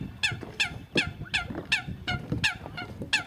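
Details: Eurasian coot calling repeatedly, each note a brief, sharp, honk-like burst with a downward-bending tone, roughly three per second over a low murmur of background noise.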